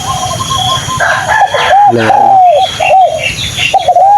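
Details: Captive spotted dove, a decoy bird in training, gives a run of soft, hollow, mid-pitched coos in arched, repeated phrases, with a brief low hum and faint background noise.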